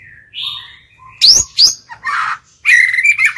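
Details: Caged white-rumped shama lure bird singing to call and provoke wild birds into fighting: varied clear whistles, then sharp high sweeping notes and a rich warbled phrase, with a fast chattering trill at the end.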